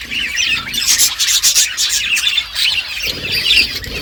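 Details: Eating budgerigars chirp in a rapid, wavering warble, high and buzzy, broken by short squawks and clicking noises.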